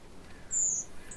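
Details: A redwing, an autumn migrant thrush in the UK, gives one thin, high, drawn-out seep that slides slightly downward, the call given when passing overhead, often at night, against quiet background hiss.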